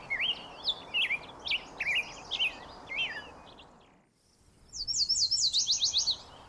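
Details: Black-headed Grosbeak in Yosemite singing sweet, robin-like warbled phrases that rise and fall, then a brief high rapid trill from another bird, over a steady rushing background.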